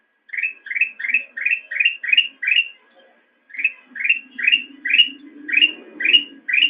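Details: Black-crested bulbul singing for cage-bird training: rapid series of rising whistled notes, seven in a row, a brief gap, then more. A low humming murmur builds underneath toward the end.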